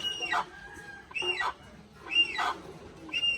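A little hornbill gives harsh, nasal squawks with sliding pitch, about one per second, over a faint background hiss.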